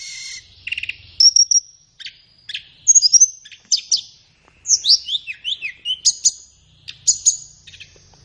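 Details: Flowerpecker tutor song for training caged birds in the morning or afternoon. A brief buzzy start, then clear high whistles, rapid descending chirps and strings of sharp ticks, all very high-pitched in a quiet setting.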